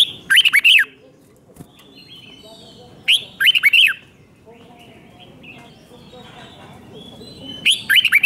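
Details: Thai red-whiskered bulbul song in the 'double 2, double 3' five-syllable style, played for young birds to learn: short bursts of bright, warbled whistles repeat about every three and a half seconds over a low background hum.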